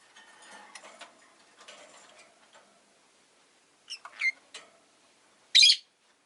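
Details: Caged rosy-faced lovebirds, five kept together in a cage by a window on a winter day, give a few short, sharp, high chirps, then one loud harsh squawk near the end over soft room and street murmur.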